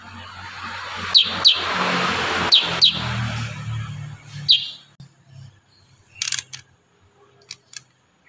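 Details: Kurincang giving quick high downslurred chips in pairs over a low droning hum, then quieter with a few scattered hissy sounds.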